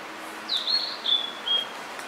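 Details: Blue-and-white flycatcher, a summer visitor newly arrived in spring at Hakone, Japan. It sings a short phrase of thin, high, clear whistles that slide downward in steps, set against a steady hiss of background noise.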